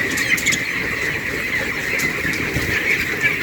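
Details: Broiler white chicks in a farm shed, a steady chorus of short high peeps, a few individual chirps standing out over the crowd, with light rustling throughout.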